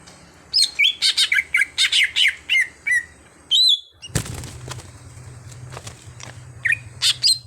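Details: Cucak hijau (greater green leafbird), a kept bird turned into an active singer, bursts into rapid, rich chattering whistles, falls silent, then a low rumble follows before a few more sharp notes.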